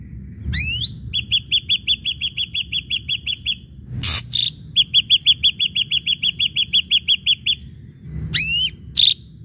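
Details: Ashy drongo lure song intended to make other birds sing: rising swept whistles frame two long runs of rapid, evenly repeated clear notes, separated by a harsh burst.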